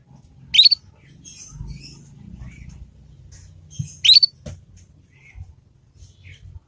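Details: Young Yorkshire canary learning the 'ngriwik' sound, used as a tutor lure so other canaries learn quickly: two loud, sharp rising chirps about three seconds apart, with soft high twittering between and faint low background rumble.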